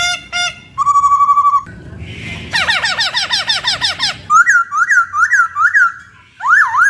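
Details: Varied laughingthrush song for training songbirds: short whistles, a steady held whistle, a rapid series of squeaky swooping notes, then loud rolling whistled phrases repeated about every half second.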